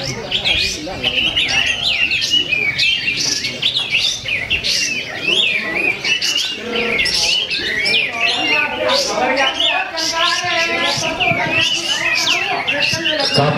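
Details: Cotton bird singing at a bird-song competition where it took first place, a long unbroken stream of rapid chirps, trills and rising whistles, with many other birds and people's voices audible beneath.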